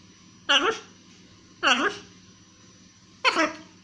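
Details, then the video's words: Talkative pet blue-and-yellow macaw speaks three short, hoarse, voice-like phrases, each falling in pitch, spaced about a second or more apart in a quiet room. "Ara ararauna. Wygadany"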